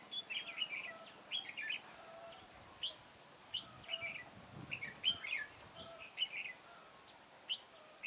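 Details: Decoy red-whiskered bulbul singing to lure birds for trapping in a garden, 9 October 2017: quick warbling chirp phrases, about one a second, some rising notes, quiet outdoor background.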